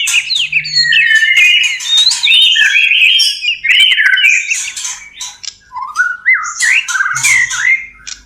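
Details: Caged white-rumped shama in breeding condition, mating: loud dense warbling of tumbling whistles and harsh bursts, then a stepwise rising series of slurred notes and final chattering.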